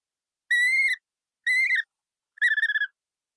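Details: Colourful parrot uttering three nasal, harmonic whistles about a second apart; the last one is broken into rapid pulses.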